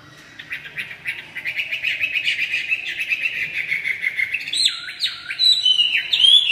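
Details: Red-whiskered bulbul producing a long, fast buzzy trill that gradually builds, followed by loud, clear whistled notes that swoop up and down.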